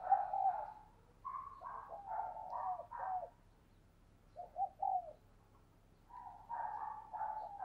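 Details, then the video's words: Decoy spotted dove calling to draw in wild doves, heard at a distance over a low hum: muffled, mid-pitched coo phrases come in three bursts, the middle one briefer. "Chim Cu Mồi Đẹp Mã Thúc Và Gáy Gọi Bổi Căng Đét"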